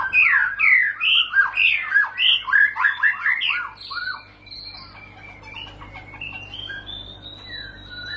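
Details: White-rumped shama, a champion songbird in long rolling song: loud varied fluty whistles and slurred notes in quick succession, followed by softer high thin notes and a faint rising whistle; low steady hum beneath.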